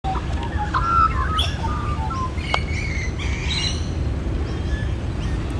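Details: Adult Australian magpie giving its territorial carolling in December 2013: warbled, fluting notes and quick sliding whistles over steady low rumble of background noise, with a brief spoken greeting nearby.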